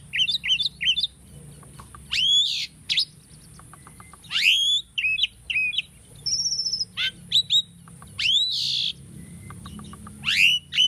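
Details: Tame Asian starling singing a training song: repeated rising whistled chirps and short slurred notes, a level whistle, and brief ticking series, with a faint continuous high hiss.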